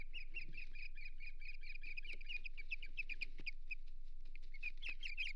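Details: Osprey at the Hog Island nest, 8 May 2023, during a failed fish delivery. Dense, rapid chirping repeats about four times a second, with several overlapping voices, sharp clicks and a constant low background rumble.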